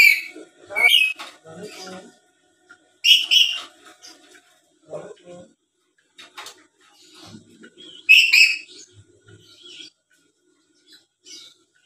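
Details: Black-capped lory, a tame talking bird recorded as a calling lure. Loud, harsh squawks recur every few seconds between quieter gurgling chatter and soft speech-like mutters.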